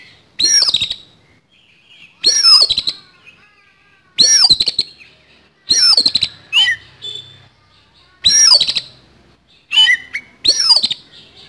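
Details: Fighting song of an oriental magpie-robin with a coarse fill: six loud, harsh bursts of descending, sweeping high notes, some followed by quick clicks, recurring about every two seconds over a faint hiss.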